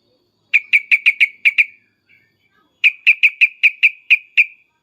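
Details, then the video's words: Sooty-headed bulbul calling excitedly with loud "cukcuk" notes: two rapid bursts of sharp, even whistled notes, six then eight, separated by a brief pause. "suara trucukan emosi cukcuk keras dan uplikuplik ini menjadikan agar burung trucuk gacor nyaut emosi"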